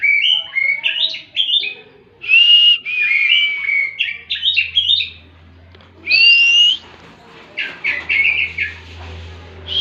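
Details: Oriental magpie-robin singing 'tembakan': a busy string of short whistled and chirping notes jumping in pitch, a long steady whistle, then a sharply rising whistle and further clipped notes, with pauses between phrases.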